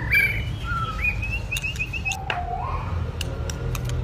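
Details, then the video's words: White-rumped shama, a two-season bird, being trained to sing: clear whistled notes slide between high and middle pitch, some held as steady tones, then a lower rising phrase, over a constant low hum. "chòe lửa tập lực.lửa bổi hai mùa | murai batu"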